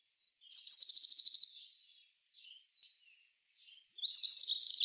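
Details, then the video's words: Eurasian blue tit song: a high sharp note dropping into a rapid, evenly repeated trill that fades into softer twittering, then the trill starts again. "Herrerillo común (Cyanistes caeruleus) Canto."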